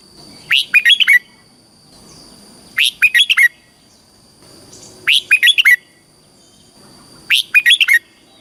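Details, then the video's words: Red-whiskered bulbul from Thailand singing a southern-style training song to excite caged birds and teach chicks. Four brisk phrases of rapid chirping notes recur about every two and a quarter seconds, with a steady high hum behind. "เสียงนกกรงหัวจุก สำหรับต่อ หรือ เปิดให้นกคึก"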